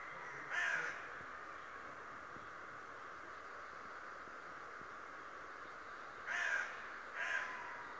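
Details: A talking raven, said to spy on people every day, utters one hoarse call early on, then a close pair of rough calls near the end, separated by a long quiet stretch of even hiss.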